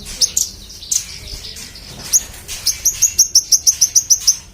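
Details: Actively singing magpie-robin used as a master recording for contest birds: a few isolated high chips, then a rapid, evenly spaced string of about a dozen sharp, piercing chirps.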